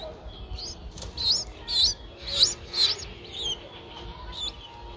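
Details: Streak-eared bulbul nestlings aged eight days, Ubon Ratchathani, Thailand, April 2023: a short run of about five loud, high squeaky chirps, each rising then falling, followed by fainter thin notes, with light rustling.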